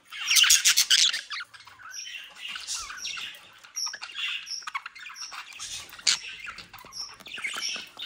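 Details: Bred budgerigars kept near Den Haag, Netherlands, give a loud burst of rapid squeaky chatter. It fades into scattered short chirps and thin whistled notes, then swells again near the end.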